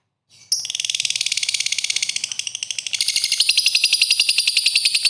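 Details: Lovebird in full, vigorous song: a long unbroken stream of rapid, harsh, high chattering notes pulsing several times a second, growing louder and denser toward the end, with no other sounds.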